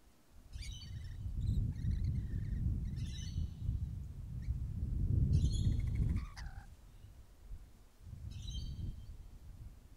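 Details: Rainbow lorikeets eating grapes give harsh, screechy chattering bursts every two to three seconds over a steady low rumble of wind or handling noise.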